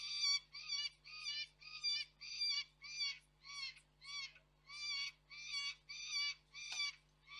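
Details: Young peregrine falcon heard off-frame at the Koksik site, Reda, on 3 July 2024. Harsh, grating screams, each under half a second, repeated in a steady series of about a dozen.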